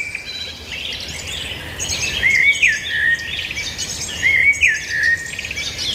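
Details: Songbirds twittering in a chorus, two clear slurred whistled phrases standing out about two seconds apart amid rapid chirps and trills, with low background noise throughout.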